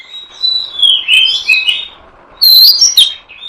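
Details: Oriental magpie-robin lure sound meant to draw in and trap birds: loud whistled phrases that slide downward, a pause, then brighter sweeping notes with sharp high accents, over a faint hiss.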